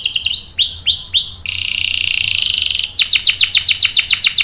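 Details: Canary singing a 'ngerol' long roll intended as a singing lure and tutor for young canaries: four looping swept notes, a sustained buzzy roll of about one and a half seconds, then a fast sharp trill.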